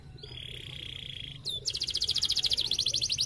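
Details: Canary singing as a lure to make other canaries respond: a long steady whistled note, a quick upward flick, then a fast regular trill of bright chirps about nine per second.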